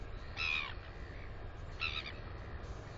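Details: Northern royal albatross in New Zealand, filmed on a nest camera on 9 September 2020 during close views of a female chick: two short harmonic calls about 1.5 seconds apart over a steady low rumble of wind.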